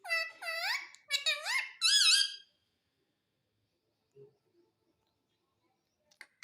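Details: Talking Indian ringneck parakeet, kept as a pet and said to say mummy and papa, utters three nasal, rising-then-falling syllables in quick succession, followed by near silence and a few faint clicks.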